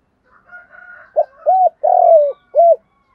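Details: Spotted dove acting as a decoy, calling in the morning: a soft warble, then a clipped note, a short coo, a long hoarse coo falling at the end and a final short coo.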